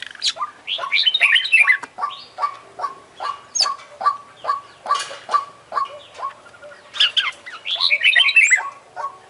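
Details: International champion Oriental magpie-robin (kacer) singing hard with full isian fills: twittering high trills at the start and near the end frame a steady string of clipped, falling notes, roughly two or three per second.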